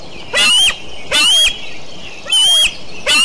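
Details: Harsh, clipped screams from the Decorah eagles on the morning of 29 June 2012. Four loud bursts come in an uneven rhythm, each with a thin whistled line, over a hissing background.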